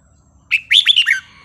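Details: A red-whiskered bulbul delivers a short melodious phrase in the counting line and wild-song style: an initial whistle followed by four rolling, warbled notes that drop at the end, with low background hum.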